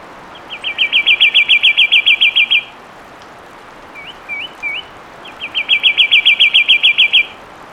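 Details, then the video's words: Fulvous wren giving a loud song: two fast, even trills of about fourteen rapidly repeated high notes, each lasting roughly two seconds, separated by three short upslurred whistles; quiet background with no other birds. "Fulvous Wren Sound"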